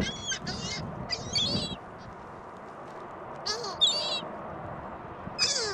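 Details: Gulls gathered at a mall on a windy Christmas Day 2014, uttering several short, harsh, nasal squeals in separate bursts with quiet gaps between them, while wind buffets in the background.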